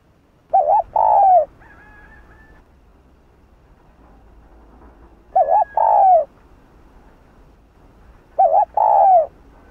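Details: Spotted dove in the 'Hạp Bổi' voice, cooing to stir up rival doves. Each phrase is a quick wavering coo and a fuller falling coo. The phrases come roughly every four seconds, and a faint higher whistle follows the first.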